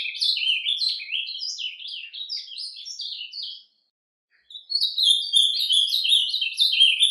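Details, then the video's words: Ultramarine grosbeak surdina song recorded in nature: a fast warbling run of short sliding notes for about three and a half seconds, a brief silence, then the twittering warble resumes, slightly louder. "AZULÃO CANTO SURDINA - CANTO DO AZULÃO SURDINA NA NATUREZA"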